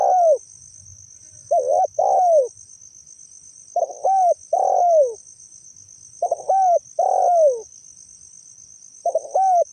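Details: Spotted dove giving soft, low, falling coos in clusters of two or three, repeated every two to three seconds over a steady high insect hum.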